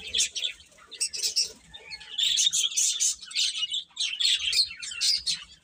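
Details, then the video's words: Several young chicks give bright, piercing peeps in clusters, some single sharp cheeps early on, then a steadier overlapping chorus, with soft low bumping sounds in the background. "Cute Chicks Chirping Sounds"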